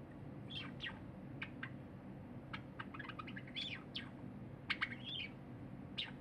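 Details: Pet cinnamon Java sparrow song recorded 23 January 2021, a silver Java sparrow feeding alongside: spaced clicks mixed with quick rising and falling whistled slurs, loosely repeated over steady low background hum.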